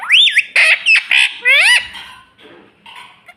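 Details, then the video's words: Pet talking parrot, said to say "Mummy Mummy": loud harsh squawks and looping whistled notes in quick bursts, about five calls in under two seconds, then softer, fading chatter. "Talking parrot - Mummy Mummy Bolne Wala Tota - bolne wala tota"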